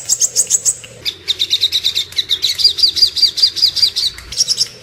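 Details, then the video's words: Master song of the little spiderhunter for training songbirds such as murai batu and kacer: high rapid chirps, a brief pause, then a steady series of sharp repeated notes. "Masteran dan Pancingan suara burung Sogok Ontong"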